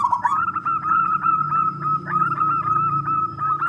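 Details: Local wild zebra dove with a big voice, singing to coax other doves to call: a sustained, evenly pulsed trill that holds one level pitch throughout, with a low background hum.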